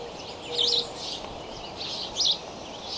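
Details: Two brief bursts of high, squeaky chirping from the Decorah bald eagle nest on May 20 at 7:28 am, where eaglets are flap hopping, against quiet background hiss.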